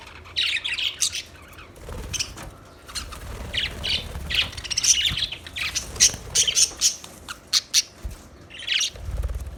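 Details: Budgerigars giving a string of short, harsh squawks and clipped chirps, spaced irregularly and growing busier toward the end, with some low thumping in the background.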